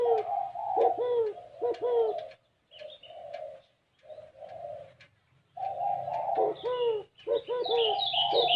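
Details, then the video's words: Spotted dove cooing in the unusual 'gáy gù kích bổi' style: low, throaty, downward-curving coos in quick clusters, broken by a short pause, with higher chirps from other birds near the end and a faint low hum. "Tiếng chim cu gáy có giọng gáy gù kích bổi cực kì độc lạ mới hay"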